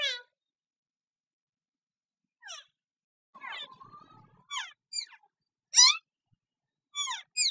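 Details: Pet Indian ringneck parakeet, one of a talking pair, giving sharp, high, downward-sweeping squawks and chirps in irregular bursts, with a short warbling phrase in the middle and silent gaps between.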